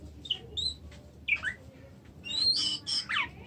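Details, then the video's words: Oriental magpie-robin giving scattered short whistled notes and quick downslurred chips, then a louder burst of high, bright overlapping whistles near the end, over a soft low hum. "kacer macet"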